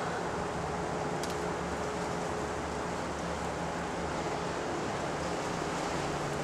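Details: Unbroken wash of loud street-like noise with a faint steady hum and a short crackle early on.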